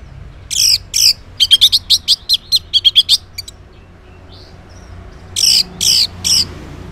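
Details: Morning ngeplong song of an orange-headed thrush, played as a lure so that silent males reply: quick runs of piercing, sliding whistles and harsh chips, then a gap and three more loud notes.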